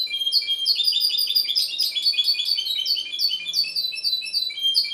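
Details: Continuous, loud, high twittering song from a goldfinch hybrid at Ksar el Kebir, with rapid chattering notes and liquid trills running without pause for about five seconds.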